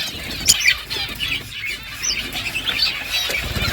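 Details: Budgies chirping quietly while eating, with scattered short twitters and warbled notes over a soft background rustle.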